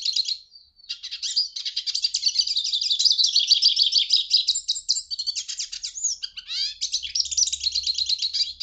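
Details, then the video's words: Sustained hooded siskin song: a long, dense run of high twittering notes, rapid trills and slurred whistles, with a few sweeping downward notes toward the end. "Canto Passaro Pintassilgo"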